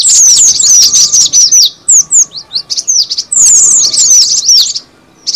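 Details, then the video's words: Cinereous tit lure call. Rapid high chirps, each a sharp downward-sweeping note, run in dense bursts. A quiet gap falls near the middle before the twittering resumes, with a faint steady hum underneath. "suara pikat burung gelatik batu"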